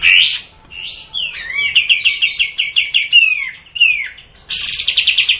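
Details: Sooty-headed bulbul (kapas tembak) in the long 'tembak' song style. Opens with loud rising whistled notes, then a fast chattering run of repeated sharp notes, a few slurred downward whistles, and a final rapid burst of bright notes.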